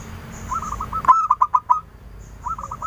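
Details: Lively local zebra dove singing to lure others into replying: a loud run of six quick rolling coo notes, framed by quieter distant trilled coos from another dove answering.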